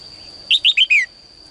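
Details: Caged female bird's morning song, calling males to sing more: a tight run of four clear chirped notes, the final one longer and gliding downward, with a faint constant high tone behind.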